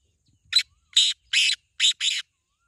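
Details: Black francolin giving its harsh contest call: five loud rasping, grating notes spaced about half a second apart, the middle note longest, in a quiet setting.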